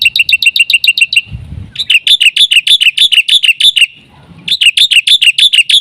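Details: Black-winged myna singing a full 'isian' lure song for training mynas: long runs of piercing, evenly spaced double chirps, about three a second, separated by two short pauses with faint low rustling.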